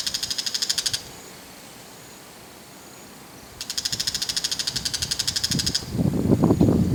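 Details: Two bull-headed shrikes on an antenna, holding food in their bills, giving harsh, rapid chattering rattles (ground calls) of fast, high, even clicks, the second about two seconds long, then a low rumbling noise.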